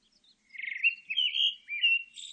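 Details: Pale thrush singing a clear phrase of a buzzy trilled opening, then loud whistled notes around the middle, ending in a high thin buzzy trill, with a quiet background.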